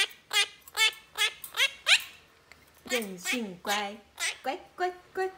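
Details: Pet monk parakeet, a gentle three-year-old female, vocalising indoors while talking with her owner: a run of harsh, buzzy harmonic squawks, then lower, speech-like phrases with rapid down-slurred syllables.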